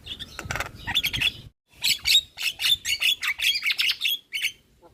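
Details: Javan myna lure song packed with varied phrases: a busy run of high chirps, sharp whistled notes and buzzy squawks, a short pause, then a rhythmic series of bright chirping bursts.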